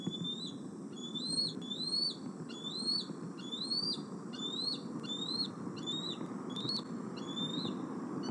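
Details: Bald eagle at Decorah perching near its nest tree on an August evening, 26 August 2020, a male that nibbles camera cables before roosting; a steady series of thin, high, upslurred whistled notes repeated about every half second over a constant low background rumble.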